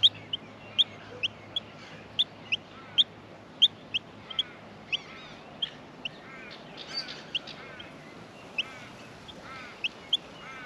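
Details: Australian miner nestlings in the nest at feeding time; thin high chirps repeated irregularly about every half second, with softer overlapping calls and faint low hum behind.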